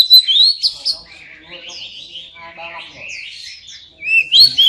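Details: Oriental magpie-robin song, played to prompt silent birds to sing: loud, sweeping whistled phrases at the start and end, with a quieter, buzzy, warbling stretch between them and faint low murmurs underneath.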